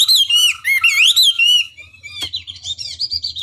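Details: Hwamei singing to provoke rival birds: clear, rolling whistled phrases that swoop down and up, followed by softer, high, fluttering notes and a brief sharp click.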